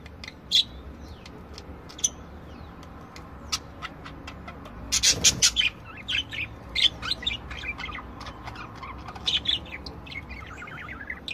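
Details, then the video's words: A group of budgerigars in song, a warbling flow of rapid clicks, ticks and short whistled notes, scattered at first, then a dense burst of harsh broadband chatter midway, continuing in irregular bursts. "Chant perruches"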